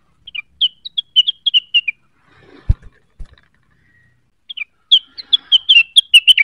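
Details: Cucak wilis, stirred up by a provoking call and seeking a rival, sings rapid runs of sharp chirping whistled notes. A burst comes first, then a pause with low thumps, then a dense final flurry.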